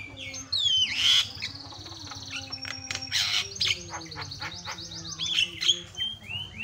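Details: Energetic, varied Javan myna tutor song that stirs other mynas; bright whistles, rapid descending trill-like notes and loud harsh bursts mixed together, over a faint low hum.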